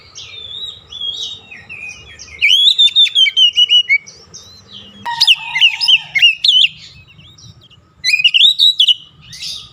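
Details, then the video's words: Oriental magpie-robin (kacer) singing: rich, varied whistled phrases that slide and warble, given in bursts with quick repeated notes and brief pauses between outbursts, over a faint low background hum. "KICAUAN PEMIKAT DAN PERANGSANG BUNYI | Kacer stres macet bunyi langsung gacor"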